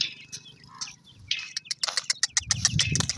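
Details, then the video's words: Partridge chicks calling: a rapid series of short, high, sharp chirps and peeps that grow denser toward the end, over a low rumbling background. "partridge chicks sound"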